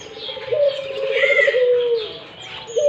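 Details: A single long Barbary dove coo, rising briefly, then a rolling vibrato and a smooth, sustained note that drops away at the end, the start of another coo following; twittering songbirds sound above it.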